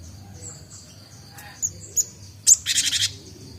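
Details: Young Cinereous tit, called Gelatik Batu, learning to sing and newly able to do ngombyok: scattered high chirps and sharp whistles, then a quick buzzy stuttering burst of five or six notes.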